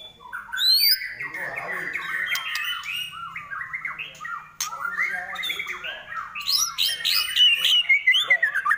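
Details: Murai batu, the white-rumped shama, pouring out a dense, scratchy warble mixed with squeaky whistles and clicks, louder toward the end.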